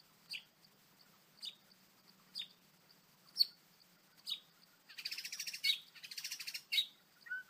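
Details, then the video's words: White-rumped shama, a wild bird described as angry while being trapped, gives sharp, high, down-slurred notes about once a second, then breaks into a rapid, harsh, rattling chatter. "White-rumped shama: Trapping A Angry Bird, Birdsong Chirping In The Wild"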